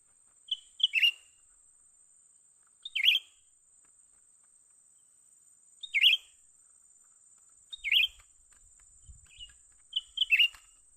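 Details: Young cucak ranting bulbul heard while being trapped: a brief high note followed by a falling chirp, repeated about every two to three seconds, faint knocks near the end and a constant high whine.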